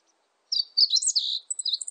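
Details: Meadow bunting song beginning after a brief pause: a fast run of high, sweet, chirping and sliding notes that continues for about one and a half seconds, with no other sounds.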